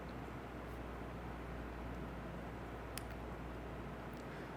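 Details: Quiet room-like background hiss with a single faint click, and no animal sound.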